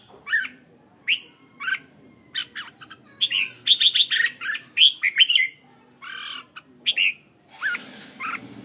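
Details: Caged red-whiskered bulbul used as a decoy bird, Hanoi, Vietnam, giving a lively run of short chirps and bright whistled phrases, clustered into a rapid warbling burst midway, then spaced notes again.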